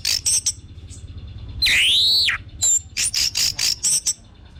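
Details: Song of an orange-headed thrush used as a lure for other birds: high chirps, a long arching swooping whistle that falls away, then a steady series of crisp high notes.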